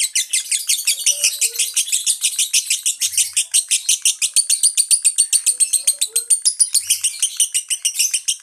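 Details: Open-beaked lovebird delivering long konslet chatter: a nonstop torrent of high, harsh, rattling notes, rising slightly in pitch midway, with a couple of faint soft low chirps underneath.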